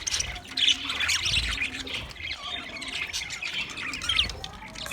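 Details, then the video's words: Green budgerigars with harsh squawks and sharp chirps, with brief whistled inflections breaking through a busy, continuous chatter, plus faint low bumps. "Green Budgie sound sound of Budgie birds"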